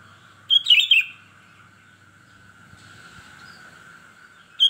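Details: Singing sooty-headed bulbul (kutilang) in gacor style gives one quick, bubbling whistled phrase, then a long pause over a steady electrical hum before another note begins at the very end.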